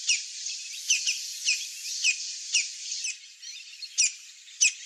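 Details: A Brazilian Campo flicker, the large woodpecker Colaptes campestris, calls in a run of quick, clipped, falling notes spaced roughly half a second apart. A brief pause follows, then a few louder notes, all against a steady high insect hiss.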